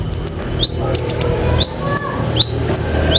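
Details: Long-tailed shrike in lively song stuffed with borrowed phrases, used in training pet shrikes: quick high twitters and sharp rising whistles repeated several times within three seconds, over a low steady hum.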